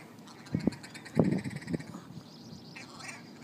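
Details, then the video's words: Large flock of ptarmigan squabbling on a town street in Yellowknife, Northwest Territories: low, harsh croaking calls in short clustered bursts, several overlapping, then quieter scattered chatter against a steady outdoor rumble. "Squabbling ptarmigan"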